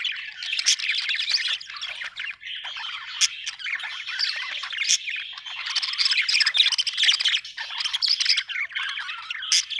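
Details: Budgerigars chirping happily: continuous warbling twitter mixing whistled notes, buzzy chatter and sharp clicks, busy and fairly loud throughout.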